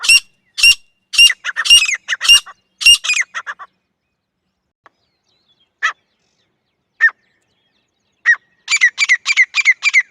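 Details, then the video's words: Francolin, the jungle partridge or teetar, calling for hunters: a run of loud rasping notes, then scattered single calls after a pause, and a fresh burst of quick repeated harsh phrases at the end. "Francolin Calling Voice"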